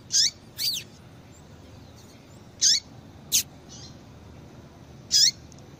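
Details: Female double-collared seedeater calls, played to stimulate males to sing: short, sharp, high chips with a falling tail, given singly or in quick pairs at irregular intervals of about one to two seconds, over quiet background hiss.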